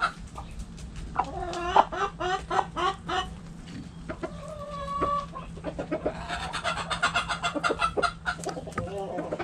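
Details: Chickens in a backyard coop, both hens and roosters. Drawn-out nasal squawks and rising-falling harmonic calls give way to a long burst of fast, choppy clucking near the end. A constant low hum runs throughout.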